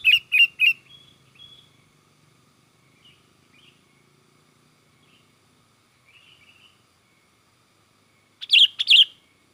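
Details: Sooty-headed bulbul (kutilang) in lively, excited song, used to lure other bulbuls: a quick burst of three sharp bright notes, faint scattered notes after a long quiet gap, then another pair of sharp notes near the end.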